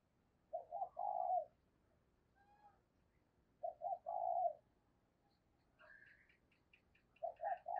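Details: Lure spotted dove, a caged decoy bird, giving its driving and calling coos: low, hooting two-part phrases repeated roughly every three seconds, with thin higher chirps from another bird near the end and a quiet background.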